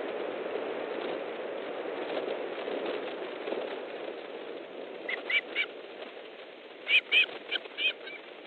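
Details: Osprey at a nest in Estonia, 3 August 2014, mid-afternoon during a fish delivery with another bird arriving: steady wind-like background noise, then a burst of short, sharp whistled yelps in the final few seconds.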